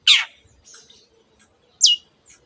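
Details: Long-tailed shrike, a mimic of canary and other birds, gives one harsh, scratchy note, then after a pause a sharp, descending whistled note.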